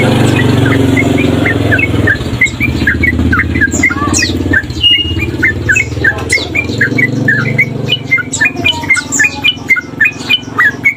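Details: Tame male sooty-headed bulbul singing vigorously: a rapid, loose series of short chirped notes repeated several times per second, with a steady low hum running underneath.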